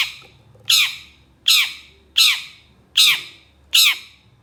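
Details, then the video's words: Long-tailed shrike giving loud harsh rasping squawks, each falling in pitch, repeated steadily about every 0.8 seconds, five in all. "KICAU CENDET GACOR EMOSI CEPAT DI RESPON PENTET JENIS LAIN, MASTERAN CENDET FULL TEMBAKAN KASAR"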